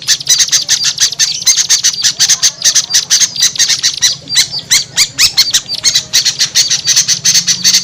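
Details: Small birds heard on a lure recording used to draw down small birds that are slow to descend: dense, harsh, squeaky chattering notes, repeated rapidly and almost continuously, with several callers overlapping.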